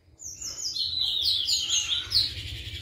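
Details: A white-eyed Ashy drongo, an active daily singer, gives a quick, high run of sweet slurred whistles mimicking a flycatcher's song, with a faint low rumble underneath.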